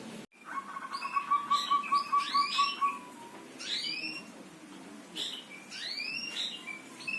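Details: Songbird singing: a steady rattling trill of short notes for two seconds, followed by scattered upslurred and downslurred whistles and chirps at irregular intervals over a low background hum.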